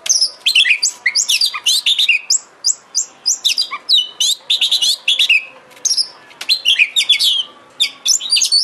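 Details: Bait song of a kacer, or Oriental magpie-robin, used to make a kacer sing and open its tail. Dense, lively phrases of high chirps, downslurred whistles and twitters repeat in quick succession.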